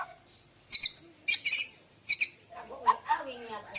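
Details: White-rumped shama singing in the morning, a song used to lure other birds. High, bright chirped notes come in short clusters with gaps between them. Lower warbled notes follow at the end.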